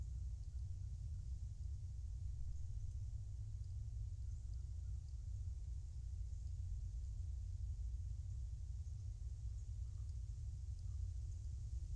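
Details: A steady low rumble like distant traffic or wind fills the recording from a forest nest camera in central Louisiana, with no animal calls heard.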